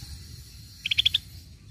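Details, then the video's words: Scaly-breasted bulbul lure sound: one short burst of five quick, clipped high notes slightly rising in pitch, then quiet low hum. "Pancingan Bunyi cucak bersisik"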